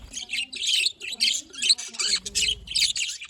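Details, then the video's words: Happy budgerigars, filmed 18 October 2023, chattering in a steady run of rapid, scratchy chirps and squawky warbles, roughly two bursts per second, with faint low thumps beneath. "happy budgies parakeet budgies"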